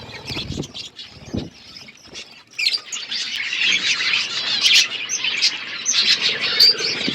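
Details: Many budgies at their food: a few low knocks at first, then swelling high-pitched twittering and chattering from the whole flock.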